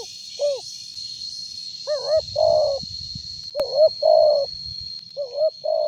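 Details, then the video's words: Spotted dove with a loud voice, kept as a lure bird: short hoarse cooing phrases, a brief rising note followed by longer throaty coos, repeated in three bursts, over a steady high thin whine and low rumbling background. "Tekukur suara besar cocok buat pancingan"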